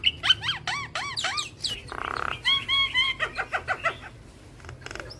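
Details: Javan myna singing a rich, varied song used to train other mynas. Repeated arched whistled notes, then a short buzzy rasp, followed by a string of quick chirps and clicks with low background hum.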